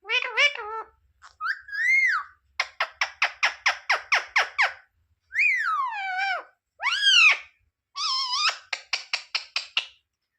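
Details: Talking pet parrot asking for roti: arching whistled syllables alternate with fast trains of about a dozen clipped, evenly spaced notes, and smooth falling swoops in the middle.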